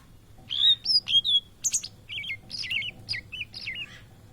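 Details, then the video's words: Blue-and-white flycatcher, a migrant bird often met in Indonesia, singing loudly: a few clear high whistles, then a run of quick wavering, looping warbled notes, each short and separated by brief pauses. "Tledekan Laut Gacor Plong"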